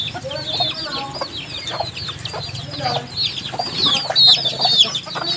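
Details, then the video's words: A group of chicks in real footage, peeping constantly. High, bent cheeps repeat roughly twice a second, growing louder and denser toward the end over a low background hum. "HUNI NG SISIW, ACTUAL FOOTAGE CHICKS SOUND"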